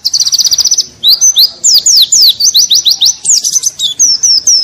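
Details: Tutor recording of a white-eye in ngalas-style song, loud and unbroken: a rapid high trill of even notes, then a tumbling stream of sharp, falling whistles packed closely together.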